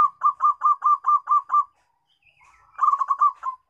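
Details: Steady series of about eight evenly spaced, clipped coos from a local zebra dove, a brief gap with a faint higher sliding note, then a faster cluster of coos.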